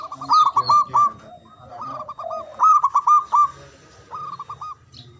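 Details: Javanese zebra dove, a local bird known for a loud, long-breathed song used to prompt silent or lazy doves to sing. Bursts of rapid, ringing cooing notes, each run about half a second long, alternate with softer, lower murmurs.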